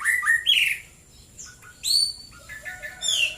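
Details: Morning singing of a white-rumped shama, Klaten, Central Java: loud bright whistles and scratchy squeals, a short lull, then strong high rising notes and softer trailing chirps.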